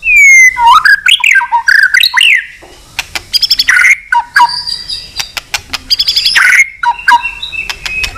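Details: White-rumped shama in long fighting-provoking song, tail flicks clicking. Rich swooping whistled phrases open, followed by a quieter stretch of rapid dry clicks mixed with short whistled notes.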